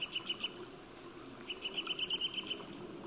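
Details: Eurasian nuthatch singing in spring, a song said to announce the season: two bursts of rapid, evenly spaced whistled notes on one pitch, a short run then a longer trill, over a steady murmur of running water.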